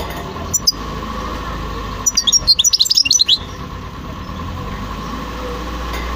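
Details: European goldfinch song: a short burst of rapid, high twittering notes lasting just over a second, set against a steady low electrical hum and otherwise quiet surroundings.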